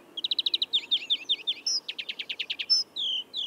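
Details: European greenfinch from Córdoba delivering loud, close twittering song: series of rapid ringing chirps in fast trills, varied notes, and a short nasal buzz at the end.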